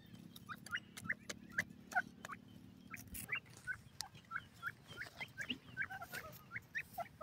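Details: Francolin called gharwal teetar or buda partridge: brief, high, upslurred chirps repeated fairly steadily, several per second, with scattered clicks and a low hum during the first half.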